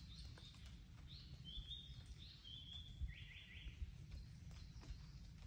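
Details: Japanese paradise flycatcher calling on Mount Rokko, Japan, 31 May 2022, in the mountains: clear whistled phrases slurring near the same pitch, then a quick run of lower repeated hoi-like notes, over a steady low rumble of outdoor noise.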